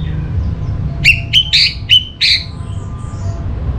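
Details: Orange-headed thrush (anis merah), used as a lure to set other birds singing: five quick loud phrases in a short burst, each a sharp whistled note with buzzy overtones, over a steady low hum.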